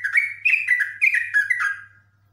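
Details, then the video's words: Yellow-vented bulbul, known locally as jogjog or trucuk, singing excitedly in long "ngekek" bursts: quick bubbly, slightly descending chattering notes for about two seconds, fading at the end, with a low hum behind. "NGEKEK!!! JOGJOG EMOSI TINGKAT TINGGI"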